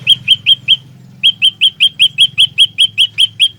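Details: Four piercing chirps, a pause, then about thirteen rapid repeated notes from an olive-backed tailorbird used as a trapping lure, with a low hum underneath.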